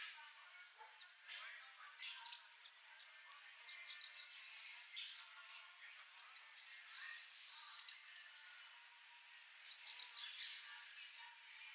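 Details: Swallow-tailed hummingbird in the wild, tending its chick: very high, thin squeaky chips in rapid irregular runs. They build into dense stuttering twitters near five seconds and again near eleven, over a faint background hiss.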